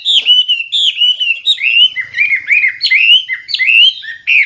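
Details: Loud, clear Hwamei song, full of varied phrases: sweet slurred whistles, stepping down and then climbing in rippling phrases with short breaks.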